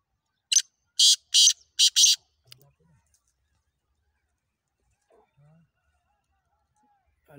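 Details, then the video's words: Black francolin calling: a quick series of five harsh, buzzy, grating notes packed into about a second and a half. Then near silence with faint low murmurs, and a brief noise at the end. "kala teetar ki awaz - black franklin voice - kala teetar ki awaz boli madi"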